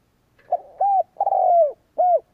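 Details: A kept spotted dove used as a decoy to provoke rivals gives one full coo phrase: a brief lead-in, a smooth coo, a drawn-out burry coo that falls away, and a closing clear coo.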